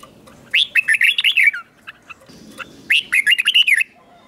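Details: Two warbled phrases from a caged red-whiskered bulbul, each a rapid string of seven or eight liquid notes, spaced about two and a half seconds apart. The song is in the doubled style, used to teach young birds to copy.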